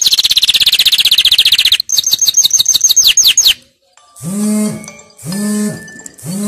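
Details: Canary singing for the schooling of young birds, a dense high trill, then a series of falling chirps, followed by lower rounded whistled notes repeated three times.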